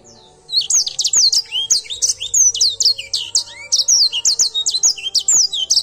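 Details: Edel Sanger canary singing actively: after a brief quiet start, a long unbroken series of sharp high chirps and down-curved whistled notes pours out quickly, with a low hum beneath.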